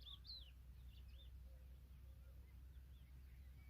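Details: African familiar chat, a mother caring for her chicks, with thin high downslurred chirps and short whistled notes scattered over a steady low rumble.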